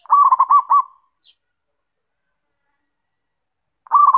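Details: Zebra dove singing an active lure song, in kerot and bekur styles, meant to provoke other doves: a rapid stuttering trilled coo phrase lasting about a second, then a pause before the next phrase begins.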